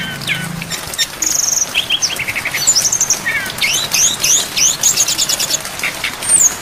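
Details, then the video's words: Brown-chested jungle flycatcher singing a full mimicry-laden song, set with rain for training songbirds. Fast high trills, rattling note series and zigzag whistles run close together, with a brief low hum at the start. "MASTERAN SRDC FULL ISIAN DAN AIR HUJAN DURASI PANJANG"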